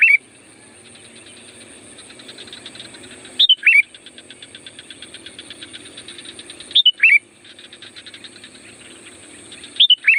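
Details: Sooty-headed bulbul calling song for attracting wild bulbuls: four brief, sharp, chirpy phrases about three seconds apart, separated by long stretches of soft, fast, regular ticking under a steady high tone.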